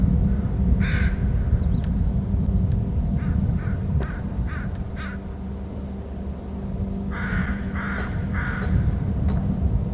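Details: Two eagles calling at their nest territory on Hornby Island, one soaring off to the right: bursts of hoarse, chattering notes, one brief, then a run of four and a closing set of three, over a steady low rumble.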